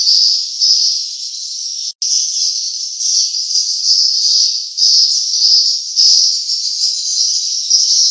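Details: Swiftlets at the nest, a continuous shrill twittering mass that cuts out briefly near two seconds, then resumes with gently rising and falling loudness.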